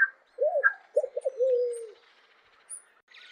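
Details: A pale-vented pigeon gives a soft hooked coo, then two quick notes and a long, level, drawn-out coo lasting about half a second, with sharp higher chirps from another bird at the start.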